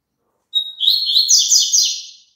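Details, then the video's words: Double-collared seedeater song played so a caged bird sings along. An opening whistle leads into a lively, buzzy, warbling series of quick high notes lasting nearly two seconds, with nothing else heard. "COLOCA ESSE CANTO PARA SEU PAPACAPIM CANTAR JUNTO"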